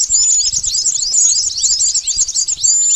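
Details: Pied bush chat calls for luring birds into traps: fast, crowded chirps sweeping up and down, high and bright, with a few thin whistles.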